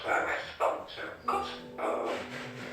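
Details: Talking Amazon parrot, said to know 40 phrases and to sing, indoors imitating human speech in short, squawky, voice-like phrases repeated in quick bursts, with a faint steady tone in the background.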